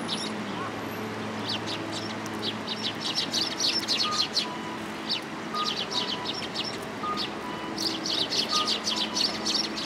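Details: Sparrows that have come to be given food at a Tenmangu shrine on 29 January 2022, giving bursts of short, high chirps in quick, uneven runs, with a steady low hum and faint tonal beeps behind.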